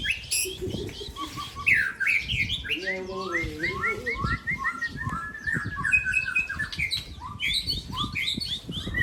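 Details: Aceh magpie-robin in a singing contest with a rival: a dense, varied song of rapid whistled and slurred notes, including a falling stepped series and chattering phrases, over steady low background rumble and faint voices.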